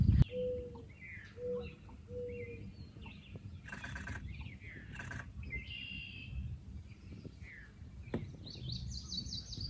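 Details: Blue-winged Warbler on a rainy June 2024 day at Necedah National Wildlife Refuge, Wisconsin, among lupines: thin, high, insect-like buzzes, with other birds chirping and whistling lower, a man's voice and some handling noise.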